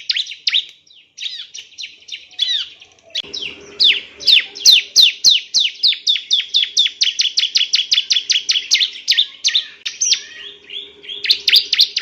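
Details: Male Bar-winged prinia singing, recorded for training other cage birds. Short chirp bursts give way to a long, rapid, steady series of bright downslurred notes, over a faint low steady hum.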